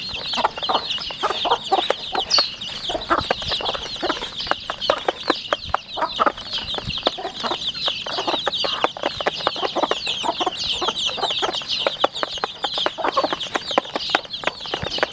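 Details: A group of 40-day-old domestic chicks in a rural home setting keeps up an unbroken wall of high-pitched cheeping, dotted with many brief, lower clucks and clicking sounds.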